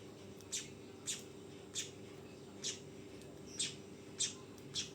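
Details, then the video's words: Young weaver bird giving a few scattered high, clipped chirps with short gaps, over a continuous low hum. "SUARA BURUNG MANYAR TROTOLAN!!"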